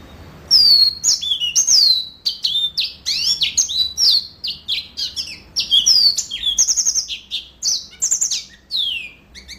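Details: Sustained, rapid yellow-fronted canary song, a dense stream of high sweet whistles and chips, many sliding downward, repeated in quick succession with hardly any pause; background otherwise quiet.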